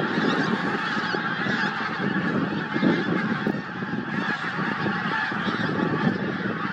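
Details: Pink-footed geese at Starene in 2023: a large flock calling at once, a continuous dense roar of overlapping honks and yelps with no pauses.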